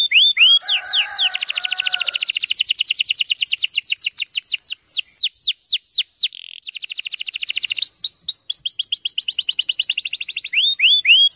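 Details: Canary song used to bring young canaries into song: opening sweeping whistles, a low warbled passage beneath, then long fast trills of repeated notes, closing with drooping whistled notes.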